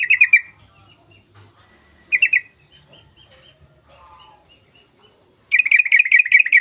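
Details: Sooty-headed bulbul in energetic song, meant to encourage other bulbuls to sing: two short bubbly bursts with soft twittering between them, then a long, fast run of rolling notes.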